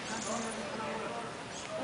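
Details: A caged common myna in the Philippines imitates human speech, repeatedly saying "hello" in a rough, voice-like phrase with a slightly raspy, nasal tone, a close copy of a person's word.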